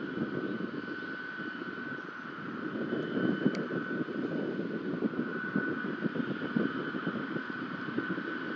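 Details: A steady electrical hum tone runs under wind rumble and a single click, with no animal calls.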